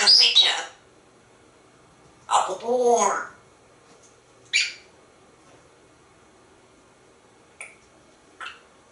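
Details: Talkative pet African grey parrot indoors in a Texas home office, asking for a cookie; a few separate squawky, speech-like phrases with breaks between them, and quiet pauses throughout.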